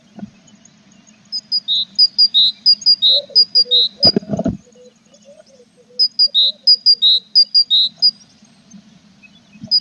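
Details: Tit nest box with growing chicks, recorded 21 April: two long runs of high, clipped double chirps at a steady pace, a few soft lower notes between them, one loud bump midway and a constant low hum.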